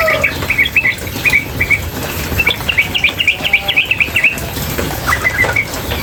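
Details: Female sooty-headed bulbul calling continuously. Separate chips speed into a fast, even rattling trill of about a dozen notes, then slow to a few scattered chips over faint hiss.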